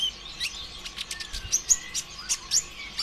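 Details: Sunbird known locally as konin ijoan or kolibri ninja, singing actively as a lure to stimulate other sunbirds to sing: quick, very high thin chirps and short rising and falling whistled notes in rapid bursts.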